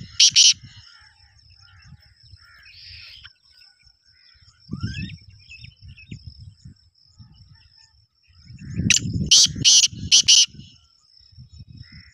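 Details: A black francolin in full breeding condition makes a brief harsh note, then after a long pause a rapid series of four rasping, scratchy bursts. Faint chirps of other birds, low rumbling noise and a steady high whine sit underneath.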